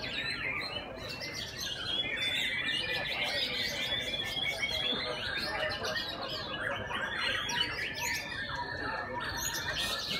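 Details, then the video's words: Shamas competing in song during session 7 of a singing competition: continuous stream of varied chirps, whistles and trills from several birds, busy and overlapping throughout, with low background noise. "MURAI BATU"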